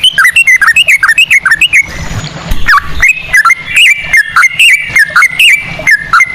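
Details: Yellow-vented bulbul lure song in ropel style with cucak rowo phrasing: loud, rapid runs of rising-then-falling whistled notes, about three each second, broken by a harsh noisy burst midway.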